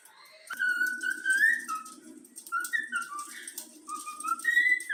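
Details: A trained young pet cockatiel of the yellow-cheek variety whistles the Flamengo anthem: a long held note, then short stepped notes rising again, over a steady low hum.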